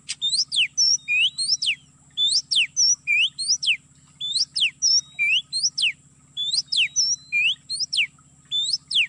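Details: Oriental magpie-robin song from an MP3 lure for trapping birds in an oil palm plantation: the same phrase of steep falling slurs, short level whistles and rising notes repeated about every two seconds, with a constant high whine and low hum.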